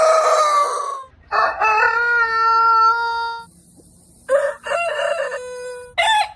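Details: Rooster crowing: a long, loud, harmonic crow held steady for about two seconds, followed after a pause by a shorter, stepped crow and then the start of another, with a faint low hum beneath.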